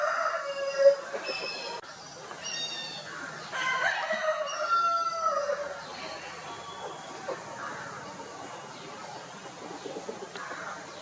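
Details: Chickens on an Indian poultry farm, Italian and desi birds establishing territories: a harmonic crow at the start, then stuttering clucks and short calls that fade into softer background clucking.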